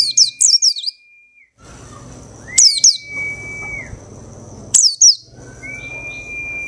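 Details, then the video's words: Two weeks after coming from a crowded group of birds, a white-eye gives rapid high, falling chirps in short groups, each set followed by a long, flat whistled note, with a soft hum behind. "Pleci Ombyokan 2 Minggu Gacor"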